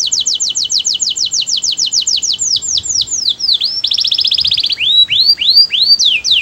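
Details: Melodious canary song: a fast series of sharp downslurred whistles, about three per second, slowing into swoops, then a dense buzzy trill and rising looped notes.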